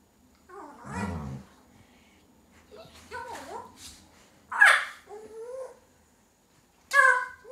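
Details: Pet African grey parrot in a small room giving a varied run of noises: a low rough growl-like sound, bending whine-like tones, and two loud sharp bark-like shrieks near the end.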